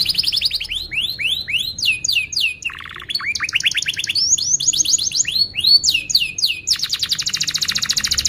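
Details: Lure song of a canary for teaching young canaries: fast series of descending whistled sweeps, a lower buzzy rattle near the middle, then more rapid slurred notes ending in a dense high trill.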